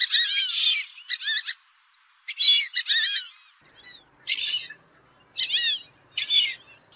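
Fulvous Whistling Duck giving bursts of squeaky, high whistled notes in quick clusters, about six bursts in seven seconds, with a quiet background.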